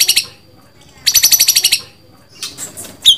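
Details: White-rumped shama uttering a short pair of buzzy notes, then a longer rapid rattling trill of roughly ten pulses, some scratchy chatter and a closing whistled note.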